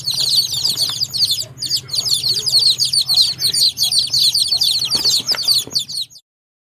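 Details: Crowded baby chicks keep up rapid high peeping, many overlapping chirps each second over a low hum, with one short pause before the sound cuts off abruptly near the end.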